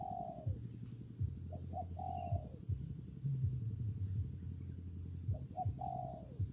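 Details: With rain and wind rumbling, a spotted dove gives a falling coo. Short notes and another long descending coo follow, and after a pause the same phrase returns near the end.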